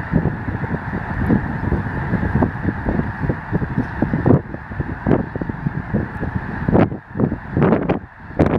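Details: Snow geese massed on spring migration at Chamberlain, South Dakota, March 24, 2013: unbroken din of many honking birds, rough low calls layered thickly, with a few sharper honks near the end.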